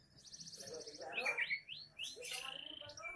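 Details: Song of a young canary, quieter: a brief high rattling trill, then a run of rising and falling whistled sweeps repeated several times, ending in buzzy trilled phrases.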